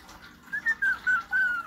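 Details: A pet cockatoo whining: a run of five short, thin whistled notes, each slightly falling or wavering, bunched together with brief gaps and growing longer toward the end.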